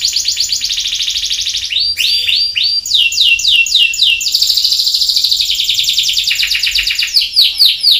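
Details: Canary singing a loud, continuous song of fast, evenly repeated trills, shifting between high buzzy rolls and lower rapid notes. The song changes phrase every second or two, and the background is quiet.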